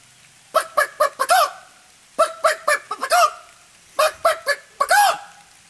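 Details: Hen calling: three bursts of short harmonic clucks, four or five per burst, each ending in a drawn-out nasal squawk, with quiet gaps between bursts.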